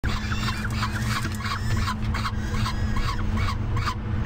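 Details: Falcon chick on a Topeka nest camera, 18 May 2014 at 20:52, being fed by the male alone. Rapid, repeated harsh notes with harmonics, several per second, over a steady low electrical hum.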